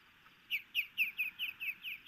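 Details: Osprey alarm calls from an alert nesting pair in Hellgate Canyon, Missoula, Montana, June 2018, as the male goes after an intruder: eight clear, piercing down-slurred whistles, about four per second, over a constant hiss of rushing water or wind.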